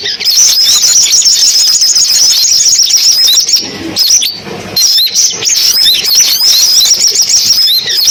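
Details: Sunbird song played as a trapping lure: continuous high, squeaky twitters and trills, with a brief drop in intensity midway before the chatter resumes.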